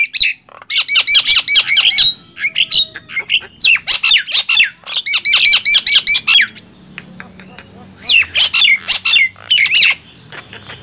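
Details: Gemboran contest of two mynas, Nias hill myna and black-winged myna; rapid strings of ringing squawks in pulsed bursts of about two seconds, with quieter gaps between.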